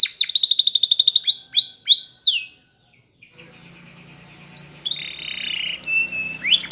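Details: Spanish Timbrado canary training song: a fast bright trill and falling whistled notes, then a pause followed by softer varied warbling with slurred whistles over a faint low hum.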